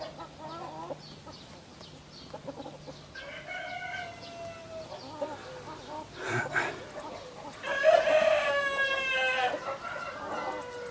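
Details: Roosters, a Sussex and a Brahma, facing each other with a white Brahma between them: two drawn-out, harmonic cock-a-doodle-doo crows, the second louder and harsher, with scattered soft clucks and a sharp noise between.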